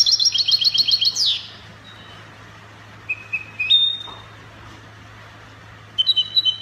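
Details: European goldfinch in Spanish copia style, Morocco: a brief fast trill ending in a downward sweep, then sparse isolated whistled notes and a short renewed trill, over a steady low hum.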